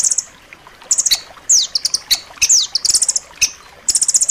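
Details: Rambatan loreng, a nuthatch, in sharp, dense tutor song for pet birds: high rapid trills mixed with quick downward-sweeping whistled notes and isolated sharp chips.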